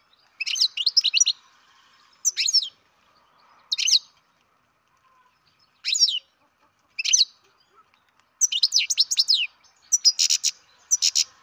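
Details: Captive-bred European goldfinch chick calling: clusters of sharp, high, downward-sweeping tweets repeated every second or two, later merging into longer rapid twittering runs.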